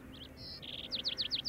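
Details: Lark sparrow male singing at Antelope Island, Utah, 6-08-2022, while a female carries food: a short sweet note, a sustained high buzz, then five quick descending chip-like notes in rapid series, with low hum beneath.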